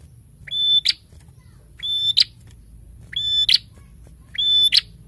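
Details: Energetic prinia song: four evenly spaced phrases, roughly one every 1.3 seconds. Each has a short low lead-in, a sustained high whistle and a harsh crackling ending. A faint steady whine sits in the background.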